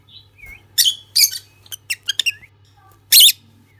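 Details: Pair of lutino lovebirds chirping: harsh, high, buzzy squeaks in short bursts, a few rapid clicks between them, and one loud shrill screech near the end, with a faint low hum throughout.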